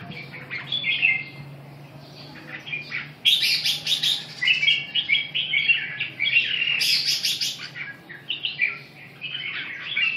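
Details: Lively chattering red-whiskered bulbul song: runs of bright, quavering whistled notes, with two loud bursts of harsh, hissy high notes near the middle and late; faint low background hum.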